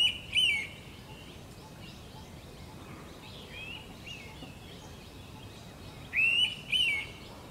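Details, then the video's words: Indian pitta on the VNIT campus, where the species is tracked by its loud pairing call at dawn in summer, gives loud, clear two-note whistles, near the start and about six seconds later, over faint background birdsong. "Indian Pitta Call"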